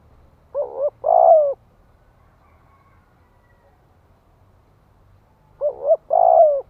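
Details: Spotted dove giving thúc gù cooing to stimulate males: two short phrases about five seconds apart, each a brief double note and then a longer falling coo, with quiet between.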